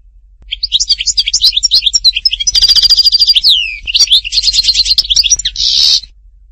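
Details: European goldfinch from Tipaza, Algeria, Htatba style: jangling twitters, a sustained buzzy trill, a swooping downslur, more rapid chattering and a final harsh rattling burst.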